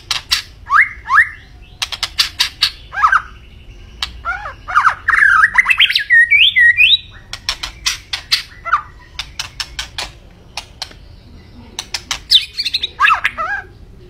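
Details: White-rumped shama in energetic song: rapid sharp clicks, harsh squawky notes and slurred whistles, building into a rising series of chattered phrases, then more clicks and whistles.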